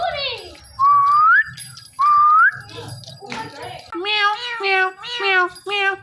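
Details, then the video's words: Indian ringneck parakeet kept as a talking pet: a descending raspy note, two clean upswept whistles, then a quick string of nasal, harmonic, meow-like talking syllables. "Funny Indian Ringneck Talking Parrot"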